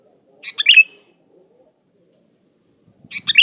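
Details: Lure song of a lively Sooty-headed bulbul: a fast cluster of sharp chirped notes, a thin high whine, then a second burst starting at the end.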